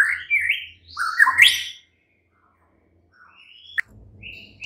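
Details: Murai batu (White-rumped shama) lure song played at night to prompt a kept bird to reply; quick slurred whistles and rising notes, then quiet, with a few faint thin whistles near the end.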